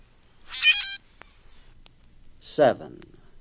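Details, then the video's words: A Common Grackle song, one of six examples: a harsh, squeaky, rasping burst like a rusty hinge, followed by a second grating note about two seconds later. "4. Common grackle, 6 examples of songs. Henslow's"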